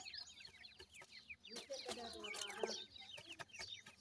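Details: A mother francolin is feeding her chicks, which call to her with a chatter of thin, falling peeps at about three per second. Clattering sounds and low murmuring accompany the calls.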